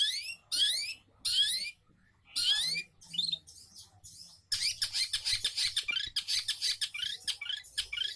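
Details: Long-tailed shrike song played as a lure to prompt other birds to sing: several loud, harsh, buzzy bursts separated by short pauses, then from midway a long run of rapid, scratchy chattering notes repeated several times a second.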